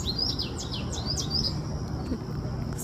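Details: A canary singing from a dry branch at the very top of a tree, far and high away, gives a quick run of high, sweeping chirps that settle into a thin, sustained whistle over a steady low outdoor rumble.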